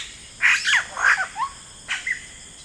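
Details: Yellow-rumped cacique calling in rainforest with loud, liquid, gurgling notes in two quick pairs, then a short rising whistle and a final slurred note, backed by faint insect hum.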